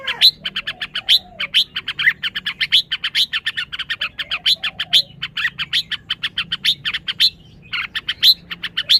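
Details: Red-whiskered bulbul chattering almost nonstop in dense strings of short sharp chirps, with a few soft slurred low notes near the start and middle.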